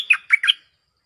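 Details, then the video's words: Cream-vented bulbul calling a mate as a lure sound: three quick, slurred, chattering notes in under a second, then silence. "Suara pikat merbah lekir gacor"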